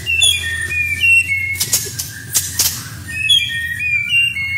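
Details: White-rumped shama in a masteran training recording with rich fill, shots and rolls of small birds: clear whistled notes sliding downward in short phrases, interrupted by a cluster of sharp, harsh broadband bursts midway, then more falling whistles.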